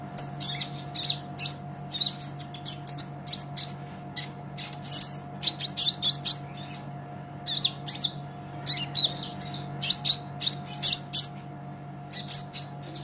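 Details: Olive-backed sunbird (kolibri ninja, green-plumaged type) in lively song, used as a master recording for tutoring songbirds: scattered bursts of high, thin chirps and twittering notes in short clusters separated by brief pauses, with a constant low electrical hum.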